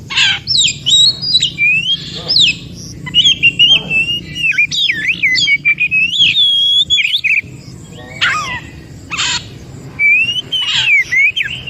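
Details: White-rumped shama singing in the wild forest, used as therapy for shamas that stopped singing: long varied performance of fluting whistles, quick trills, buzzy rasps and sharp chips, with brief pauses between bursts.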